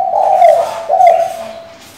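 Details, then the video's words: Female spotted dove calling the male, used to stir a decoy bird into calling: two low, mellow coos, each swelling then fading, the second following after a short gap, with no other clear sounds. "Cu gái mái gáy, gù, thúc,... kích bổi cực hay, bổi mở mỏ ngay!"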